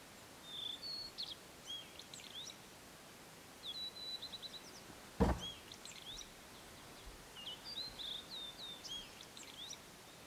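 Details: Whistled phrases of a blue-and-white flycatcher in forest at Matsunoyama Onsen, Japan, repeat about every two seconds as sweet slurred notes ending in thin high flourishes, broken once by a sharp knock midway, with steady hiss behind.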